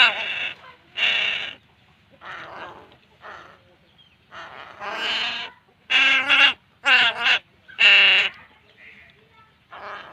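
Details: Crow chicks begging while being fed: loud, harsh, nasal rasping cries in bursts of about half a second, several in quick succession, some strongly harmonic and wavering, with quieter hoarse calls between.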